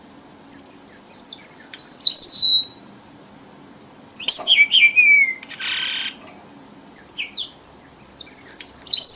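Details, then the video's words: Red avadavat lure song for bird trappers. Three twittering phrases of high, thin whistles slide down in pitch, separated by pauses. A brief rough buzzing burst follows the middle phrase. "TIẾNG CHIM HOA MAI ĐỎ MỒI CHUẨN"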